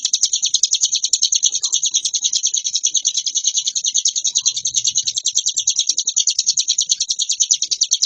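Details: Hill prinia pouring out nonstop ngebren song: a long, steady stream of rapid, high, buzzy chirps with slight shifts in note shape.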